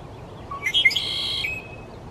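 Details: Male red-winged blackbird in the Pacific Northwest singing from a high perch to get noticed. Two or three short clear introductory notes lead into a loud, buzzy, rattling trill that lasts about half a second, over a soft background hiss.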